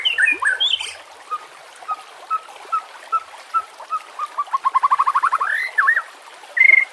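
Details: White-rumped shama singing with trickling water behind, used as a master song for training: a few varied opening notes, then short whistled pips that speed into a fast even run, ending in a sharp high note.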